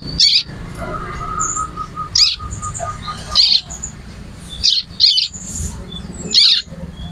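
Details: Bar-winged prinia (ciblek) singing actively, used as training material for songbirds: short buzzy, rasping chirps, single or paired, spaced irregularly about a second apart, over a faint steady tone.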